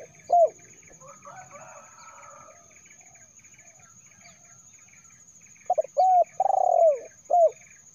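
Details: Spotted dove, known locally as terkukur, used as a lure call to attract wild birds; a single coo, then a pause with faint background noise, then a burst of several short rising-falling coos with one longer drawn note, plus a steady high whine.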